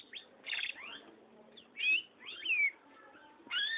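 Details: Long-tailed shrike singing energetically: a varied medley of short chirps, rising whistled slurs and chattering notes, delivered in uneven bursts with brief gaps.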